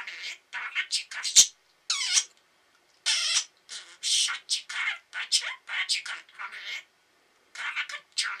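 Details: Two pet budgerigars kept indoors chattering: dense bursts of scratchy, high warbled notes and sharp clicks, coming in quick runs of about half a second with short pauses between, one loud snap near the start.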